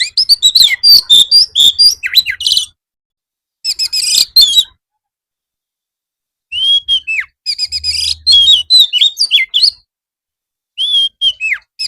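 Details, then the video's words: Afternoon master recording of an Oriental magpie-robin for training birds to reply; rapid chattering notes, then clear downslurred whistles and rich warbled phrases coming in separate bursts with silent gaps. "masteran kacer supaya mau nyaut bunyi gacor"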